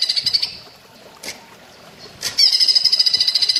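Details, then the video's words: Cucak ijo voicing the platuk bawang style for songbird training, with a short burst of high, rapid repeated notes, a quiet gap with a couple of clicks, then another fast high rattle to the end. "Masteran cucak ijo rasa platuk bawang"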